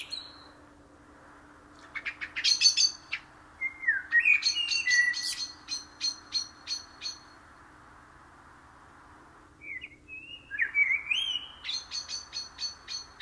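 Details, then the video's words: Common blackbird song: rapid bursts of sharp high clicks and chatters mixed with mellow fluted whistles, then a pause and another phrase of warbled notes ending in thin high chattering, with a low background hum. "KARATAVUK SESİ (KARABAKAL)- COMMON BLACKBİRD - TURDUS MERULA"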